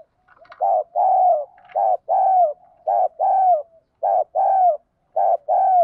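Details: Spotted dove repeating its cooing phrase as a lure to provoke rival doves: paired short and long hollow coos recur about once a second. The long notes fall gently at the end, with faint soft notes between phrases.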